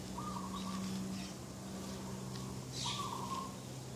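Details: Garden dove in the morning, 2 October 2021: two level, rolling coo notes with a gap between, over a low steady engine-like hum, plus a short high chirp from another bird.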